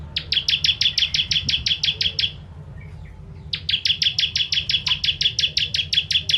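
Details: Ciblek or bar-winged prinia of the 'kristal' kind in 'tembakan' song for tutoring contest birds: two long bursts of rapid, piercing high chips, roughly fourteen notes each, split by a short pause, with a low hum beneath.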